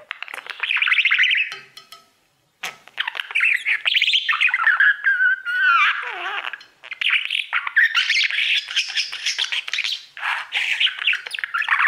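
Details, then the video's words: Singing to his mirror, a male budgie delivers long stretches of dense warbling chatter with a descending whistle near the middle and one short silence early on. "Budgie sounds | Cookie and his Mirror singing"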